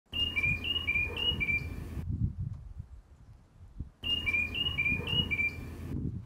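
A tufted titmouse whistles a quick series of clear two-note phrases, four to a burst, sliding down. A short quiet gap falls between bursts, with low rumble behind.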